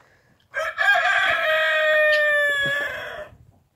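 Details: A rooster crows once for nearly three seconds, a harsh, strained cry holding a steady pitch before trailing off, in a barnyard pen at the historic Doukhobor farm near Nelson, early morning; the finding is chicken.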